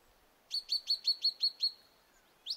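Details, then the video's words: Willow Tit calling powerfully, a fast run of seven clear, high, slightly slurred piping notes, about five per second, over quiet background; a carrion crow is also heard in the recording. "Parus montanuksen voimallista ääntelyä"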